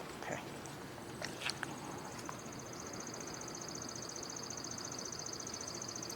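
A Chipping Sparrow gives a dry, even, high-pitched trill of rapid identical notes lasting several seconds, after a few scattered clicks, over a steady outdoor hiss.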